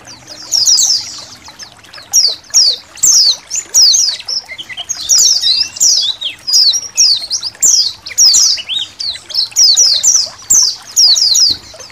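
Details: Indonesian white-eye colony chorus recorded as master audio to make kept birds sing and sound wild, with trickling water. Bright, high, sweeping twittered bursts about half a second long repeat almost continuously, with short gaps between.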